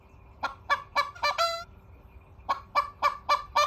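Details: A hen crowing: a run of short, harsh, clucking notes builds into a brief, drawn-out, harmonic crow. After a pause, another series of rapid, rough clucks follows, with a low hum in the background.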